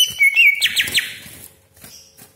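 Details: Greater green leafbird lure song fragment: two clear whistled notes, then three loud sharp descending 'tembakan' shots, followed by fading faint notes.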